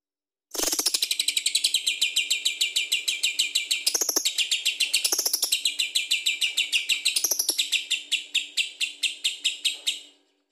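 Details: Lovebird singing vigorously in the long ngekek style, used to prompt other birds to sing. A fast, high, shrill chatter runs without pause for about nine seconds, with brief harsher bursts near the fourth, fifth and seventh seconds.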